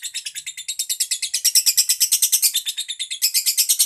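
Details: Pet lovebird giving a fast, steady stream of shrill, scratchy chirps, about three per second, high-pitched and harsh, continuing without pause in a quiet indoor setting.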